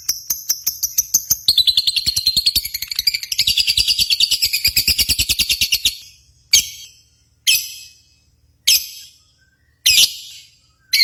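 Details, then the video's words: Contest lovebirds, played to excite pet lovebirds of all ages and both sexes: a fast, dense, shrill chattering trill for about six seconds, then five single harsh shrieks about a second apart. "SIMULASI BURUNG LOVEBIRD"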